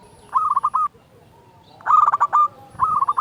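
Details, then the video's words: Local zebra dove singing strongly as a lure for quiet doves: three brief phrases of quick, stammering coo notes, each closing on a slightly longer note, with short gaps between. "Perkutut lokal gacor SUARA BESAR pancingan burung perkutut agar bunyi"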